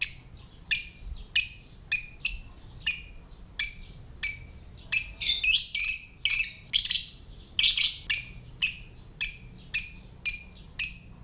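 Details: Lovebird making the ngetik (typing) call used to set off other lovebirds' calling and breeding readiness: a steady run of sharp high chirps about every half second, speeding into a dense cluster midway, then settling back into an even beat.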